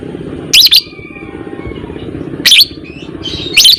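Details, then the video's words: Lovebird of the fighter type uttering three short, harsh, high squeaky chirps, roughly a second and a half to two seconds apart, with faint thin whistles and low background hum. "Burung lovebird FIGHTER Ngekek panjang"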